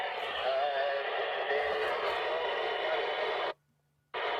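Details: Crackly radio voice chatter, with a brief dropout into silence near the end, and no animal sounds.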